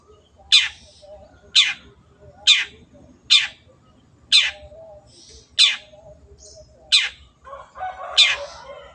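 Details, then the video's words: Long-tailed shrike (cendet), lively song for training kept birds: a steady series of loud, grating descending notes roughly every second, with a brief scratchy chatter near the end. "MASTERAN BURUNG CENDET GACOR"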